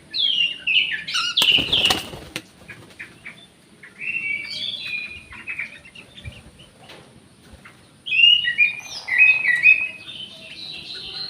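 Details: Orange-headed thrush in an aviary, sharing space with another bird, sung as therapy for birds that rarely sing: rich warbled phrases from 1–2 s, 4–5 s and 8–10 s, with a burst of wing-flutter-like noise near 2 s.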